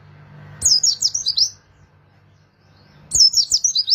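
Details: Two short bursts of high, thin twittering from an Oriental white-eye, used as a lure for wild birds. Each burst holds five or six fast downward-slurred chirps, separated by a quiet pause.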